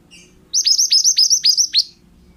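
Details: Mantenan, the pied bushchat, in a training recording for other birds: a crisp run of six high, falling whistled notes in about one and a quarter seconds, faint low hum beneath.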